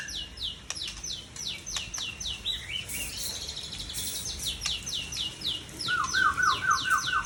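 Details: Tangse-origin white-rumped shama, seven years old, giving a run of rapid high descending whistles followed by a lower rhythmic trill of repeated notes.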